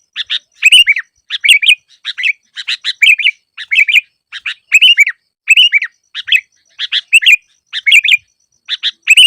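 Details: Sooty-headed bulbul singing on a training track for trapping lures: clusters of quick chirpy, gurgling notes repeated in steady bursts roughly every half second, no other sounds.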